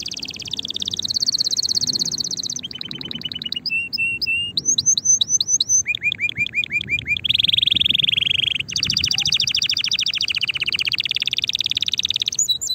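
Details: Excited canary in full song to prompt other canaries to sing, changing tours quickly: a buzzy trill, choppy repeated notes, short whistled slides, then a loud rolling trill and a fast rattling run.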